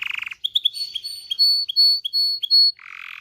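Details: Canary singing meant to stimulate mating: a short buzzy burst, then a string of clear, high whistled notes with thin pure overtones, ending in another buzzy roll.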